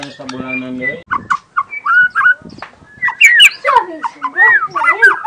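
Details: Young wild forest white-rumped shama giving natural 'tembakan' song bursts: a low, buzzy harmonic tone opens, followed by clear whistled notes and then fast, rich warbling phrases with rising and falling slurs.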